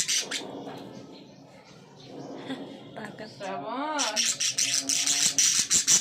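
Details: Three young budgerigar chicks, about one and a half months old, give rapid, scratchy high chirps, about two a second, after a brief wavering human-like voice and a quieter stretch of indoor murmuring.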